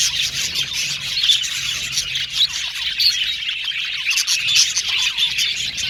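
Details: Captive male blue budgerigars in an aviary, lively overlapping chirps and short rising tweets from many birds, with a faint low hum underneath.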